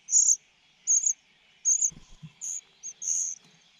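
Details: Greedy young cuckoo still wanting more while food is pushed into its mouth: loud, very high, hissing begging calls in short bursts, roughly one every three-quarters of a second, with a few low thumps.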